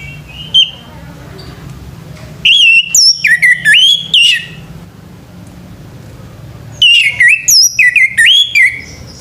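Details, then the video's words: Orange-headed thrush male at morning time delivering two rich phrases of clear whistles that drop and rise, each about two seconds long, separated by a short silence. "SUARA ANIS MERAH PAGI HARI"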